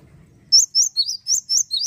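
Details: Java sparrow in song to excite rival birds: six bright, high chirps in rapid succession, each with a slight up-and-down slide, following a short low murmur.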